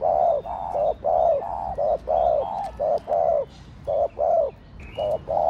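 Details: Spotted dove giving its Thổ Đồng style coo, used to rouse other doves; a steady run of about eleven deep, husky coo notes in a broken rhythm, faint high bird chirps behind.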